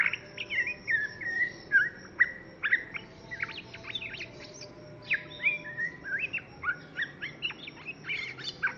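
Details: A young white-rumped shama delivers a lively, uneven stream of whistles, sweeping slurs and sharp chipping notes, around two elements per second, with short held tones between bursts; faint steady hum behind.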